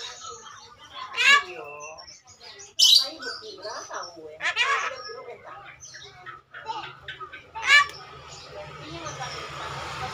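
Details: Javan myna (jalak kerbau) imitating talk: a run of voice-like, harmonic syllables with falling and rising tones. They come in uneven bursts about every one to two seconds, mixed with sharp squawks and quiet chatter.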